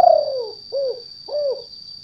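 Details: Trapping lure call of a spotted dove, 'kuk 2' style, for gardens and rice fields: one long sliding coo followed by two short, even, arched coos about half a second apart, with a constant high-pitched whine behind.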